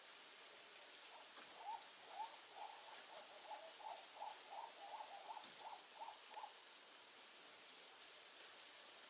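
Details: Several captive hamerkops at a zoo, which are noisy when several birds meet, give about a dozen sharp, mid-pitched yelping notes, roughly two or three per second, over a steady hiss of running water.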